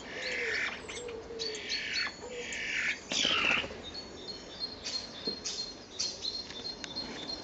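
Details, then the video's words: Common starlings, a pair fighting or mating in April, mix slurred whistles and harsh buzzy notes, with one loud screech midway and quieter clicking chatter after. "Starlings Fighting or Mating"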